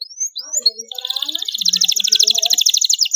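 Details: Canary chick learning to sing from a recorded model: a few thin rising and falling whistles, then a dense, rapid high roll lasting about two seconds, with faint low murmurs underneath.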